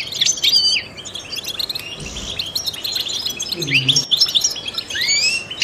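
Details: Trained European goldfinch singing to stimulate other songbirds: high twittering and rising whistles, with a faint low sound briefly in the background.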